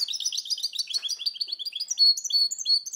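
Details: Goldfinch × canary hybrid recorded in 2010, singing a fast, continuous run of high twittering notes and short rising and falling whistles, with dense chirps packed closely together and brief buzzy trills throughout.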